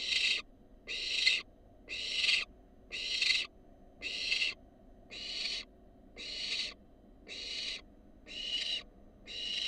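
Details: A wild barn owl fledgling's begging from its nest box at feeding time: ten evenly spaced, hoarse hissing bursts, close to one per second, against a quiet background.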